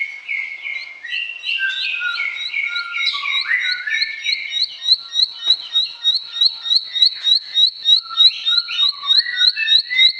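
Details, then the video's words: Bar-winged prinia song meant to spur silent birds into singing: varied chirps and slurred whistles open, then a long, very regular run of high clipped notes repeated several times per second. "BERBAGAI ISIAN KICAUAN CIBLEK, PANCINGAN AMPUH UNTUK SEGALA JENIS BURUNG BISU, MACET ,LELET"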